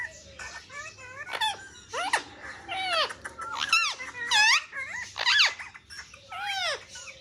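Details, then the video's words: Pet parrot indoors in a small room, vocalizing while playing with a mobile phone: a rapid run of bright, sweeping whistles and squeaky chatter with rising and falling curves, bursts roughly once a second. "Parrot funny talks and playing mobile"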